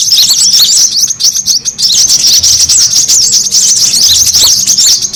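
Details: Brown-throated sunbird lure call, a noisy sound used to draw birds in. Dense, fast high chirping and twittering runs without pause, with squeaky notes packed tightly together and no other clear sounds.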